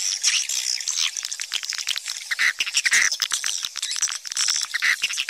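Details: Swiftlets calling, played as a swiftlet calling sound: dense rapid twittering and chirping, high clicky buzzy notes repeated quickly with short sharp bursts throughout.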